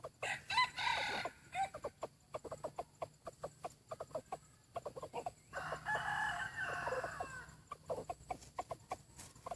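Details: Decoy chicken praised for its fine voice: two harsh, harmonic crowing bursts, one near the start and a longer one midway, set among rapid clucks and dense sharp clicking.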